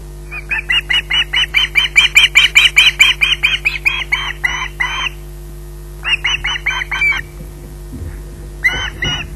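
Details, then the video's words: Osprey at RSPB Loch Garten, pottering about between squawks while waiting for food: a long run of harsh, evenly spaced squawks, more than two per second, then a pause and two shorter bursts. "pottering between squawks waiting for food"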